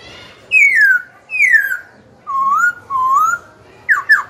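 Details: Young caged Black-throated laughingthrush singing to provoke rival birds and train young birds: two long falling whistles, two low rising whistles, then a quick burst of clipped downslurred notes in a quiet room.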